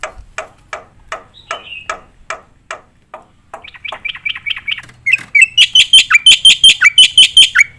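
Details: Black-winged myna in a song used to tutor competition birds: a series of softer, lower clipped notes about three per second, then building into a dense, loud run of high chirps in full "nembak" style with filler.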